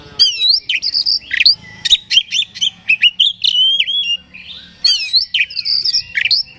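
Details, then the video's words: Oriental magpie-robin, played to provoke another bird into agitated singing: rapid, varied high song of sharp chirps, slurred whistles and trills in dense phrases, with a short pause before another burst. "Suara Pancingan Kacer Agar Cepat Emosi Gacor ! Pancingan Paling Ampuh Buat Menaikan Emosi Kacer"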